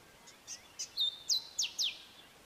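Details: Male grey sunbird singing: a few soft high chips lead into a level thin whistle and three loud, sharply falling notes spaced about a quarter second apart, a short sharp phrase over faint background hiss.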